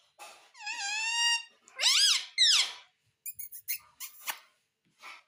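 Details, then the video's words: Green ringneck parrot kept as a pet talks indoors: a long flat whistled tone, two bending squawky syllables, then a series of short clicks and soft taps. "Talking parrot || Mitthu mitthu || Tota Tota"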